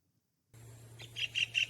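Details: White-throated kingfisher (Halcyon smyrnensis) gives three loud, sharp, high notes in quick succession, about five per second, over a low steady hum; its call is very loud and piercing, carries far, and is given constantly in flight.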